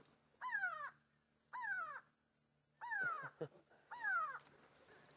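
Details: An upset grey go-away-bird screaming from above a safari vehicle at sunset, 27 June 2016, possibly alarm-calling, gives four harsh, nasal, downslurred 'gwaay' screams about a second apart over a low engine hum.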